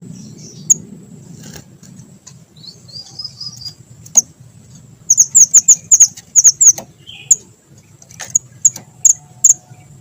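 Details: Small minivet singing in lively form, used as a lure for trapping birds: very high, sharp notes repeated in fast bursts, a dense run of quick chips in the middle, then spaced single notes; low rumbling background.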